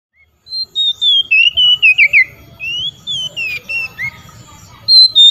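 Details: An Oriental magpie-robin sings loudly in the open ngeplong style, calling out to rivals: a run of clear, rapid, whistled notes sliding up and down, broken into short bursts about four per second, ending on higher sweet whistles.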